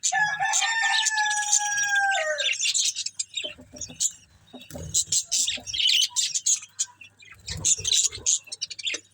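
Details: Budgerigars eating green food start with long, gliding whistled notes over chatter, then give clusters of sharp high chirps in irregular bursts, with low thuds from feeding.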